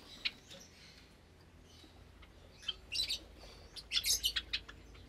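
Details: Java sparrows in a cage aviary where many chicks have recently hatched, on a Sunday morning in May 2022: sparse, thin high chirps, then a cluster of quick bright chip notes near the end over a quiet background.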